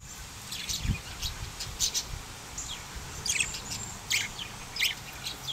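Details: Rainbow budgerigar, a parakeet, giving short scattered high chirps and chattery notes in quick bursts, several sharp peaks within a few seconds over a faint low background hum.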